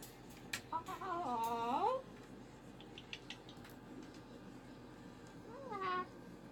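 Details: Unhappy pet cockatoo at home after the weekend. A long rising, harmonic whine ends abruptly, then quiet clicks follow before a shorter arched cry.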